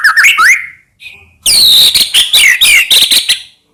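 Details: Singing white-rumped shama (murai batu) used to make other shamas answer: twisting whistled notes, a short gap, then dense loud warbling phrases with rising and falling slurs.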